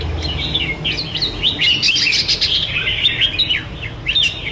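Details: 1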